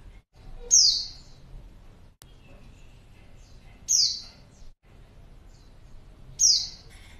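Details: Female white-eye used to lure a male into answering: three clear, high, falling whistles spaced roughly two to three seconds apart, with brief soft background sounds between.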